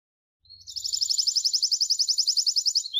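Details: Canary song used for training young chicks: after a short lead note, a rapid, even trill of high buzzy notes repeats about three to four times a second, then ends with a quick upswept note.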